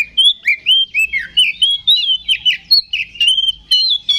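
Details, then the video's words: Oriental magpie-robin (kacer) giving ngeplong fighting song to provoke other magpie-robins. A continuous run of rich whistled, slurred syllables is repeated rapidly, about four per second, with no other clear sounds. "KACER GACOR NGEPLONG TARUNG !! PANCINGAN KACER PALING AMPUH BUAT MENAIKAN EMOSI KACER AUTO RESPON"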